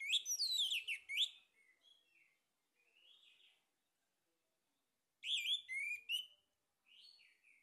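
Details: Male orange-headed thrush in full song, a lure meant to stimulate singing: a rapid run of loud varied whistles and twitters, a pause with faint notes, then another loud burst of rich phrases.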